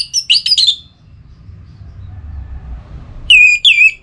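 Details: Orange-headed thrush kept in a cage, in breeding condition and calling a rival. It gives a rapid cluster of chirpy, warbled whistles, falls silent over a low background rumble, then returns with two clear descending whistled notes.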